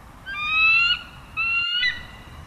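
A bald eagle gives two thin, drawn-out whistled notes, each under a second and rising slightly in pitch, over a faint low background hum.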